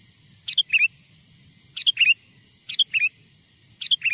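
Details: Wild sooty-headed bulbul song used as a lure to draw wild birds closer: short bright phrases of three or four quick notes, a clipped first note then two whistled slurs, repeated roughly every second and a quarter over low background rumble.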